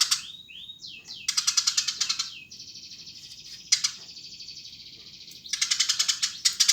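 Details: Eurasian tree sparrow giving a few sliding whistled notes, then rapid chirp runs and a long sustained buzzy high trill before a final burst of chirps.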